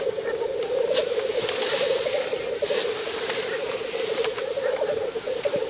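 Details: Lekking black grouse in northern Finland, 30 April 2011, captured at 50–70 metres with a superzoom camera: a persistent gurgling, bubbling chorus, broken now and then by short airy hisses.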